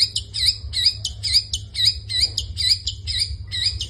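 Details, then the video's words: Long-tailed shrike giving full 'isian' song. Bright clipped notes with a hooked rising-falling shape recur in a steady series, roughly two each second, above a soft low drone. "burung pentet gacor full isian"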